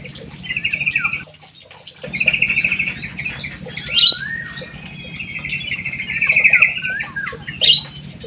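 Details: Munia singing clear, buzzy trilled phrases broken by a short pause, with a long sliding whistle and sharp high notes, over a low continuous hum.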